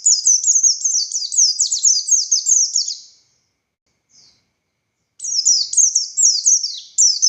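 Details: Oriental white-eye, buxtoni type, in a lively 'ngalas' song: about three seconds of dense, rapid, high falling whistles, a pause with one faint note, then the song resumes.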